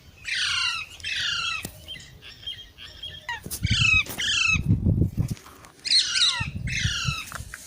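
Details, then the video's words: Young parrots giving repeated scratchy, downward-sweeping squawks in quick pairs, a few softer buzzy notes in between, over low thumping handling noise. "Baby Parrots Sounds"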